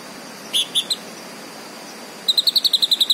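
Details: Green leafbird giving three separate clear whistled notes, then after a pause a quick run of about ten sharp high notes, over faint background hiss.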